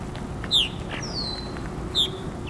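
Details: A purple martin calling at a purple martin house at FortWhyte Alive, Winnipeg, Manitoba, in July 2022; two short falling chirps about one and a half seconds apart, with a long sliding whistle between them over steady low background noise.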